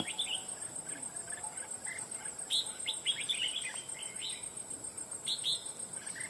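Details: Wild red-whiskered bulbul recently trapped for fighting, singing loudly with short clusters of sharp, chirping warbled notes, pauses between bursts, over a steady high insect drone.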